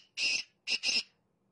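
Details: Part of a black francolin call phrase: one long rasping grating note, a pause, then a quick harsh double note, all clear and close.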